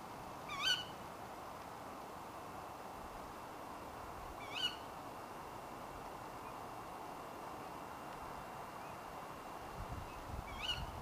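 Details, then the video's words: Female Tawny Owl calling late at night, giving three sharp, screechy calls spaced about four to five seconds apart, with a faint steady tone and light rustling near the end. "Tawny Owl Call (Strix aluco)"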